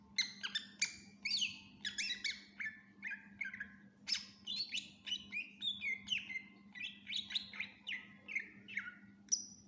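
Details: Greater green leafbird singing loudly and nonstop, bright whistled and chirping phrases with sharp downslurred notes repeated in quick succession, a varied mixed medley, steady low hum in the background.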